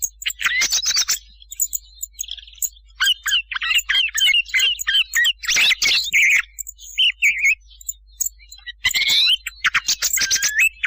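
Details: Thrush song played as a lure for hunting thrushes at night, 2023: bright, varied whistled and chattering phrases, quick repeated notes and buzzy bursts, with short pauses between phrases.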